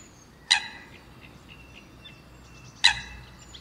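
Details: Eurasian coot calls: two sharp, loud, explosive single notes about two seconds apart, each bright with layered overtones, over a steady low background hiss with faint distant chirps between.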